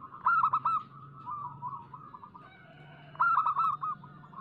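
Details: Local zebra dove, used as a lure so that doves sing. Two loud staccato cooing bursts frame a softer rippling phrase, with a brief steady tone between them and a faint low hum throughout.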